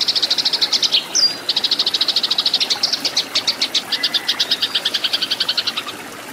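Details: Fighting song of a Eurasian tree sparrow, used as a training recording for cage birds: rapid strings of clipped, bright chirps pouring out almost without pause, with one sharp higher note early on, then tapering off near the end.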